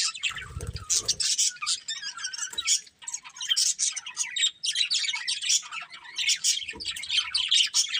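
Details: A breeding pair of colourful budgerigars chirping in a steady, rapid twitter of sharp notes, with a low thud early on and another later.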